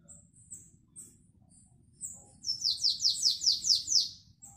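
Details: Canary singing classic Belgian style song in 2021. Several spaced high chirps give way to a regular trill of eight descending whistled notes, with a final short peep. Low constant hum beneath.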